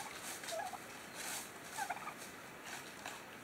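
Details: A wild turkey family in autumn in Coronado National Forest gives a few short, mid-pitched yelping notes in two brief bursts, partly buried under steady gusting wind.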